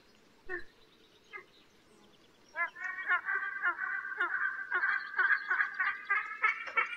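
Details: Eagle starting with a couple of isolated notes, then breaking into a fast, continuous, rattling chatter of rough notes that grows louder. Faint background hiss throughout.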